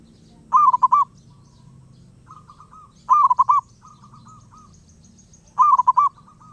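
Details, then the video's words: Wild zebra dove singing without pause. Three bright, bubbling phrases of rapid pulsed coos arrive about every 2.5 seconds, each followed by quieter echoing trills, over a steady low rumble. "Burung perkutut Liar gak mau diam"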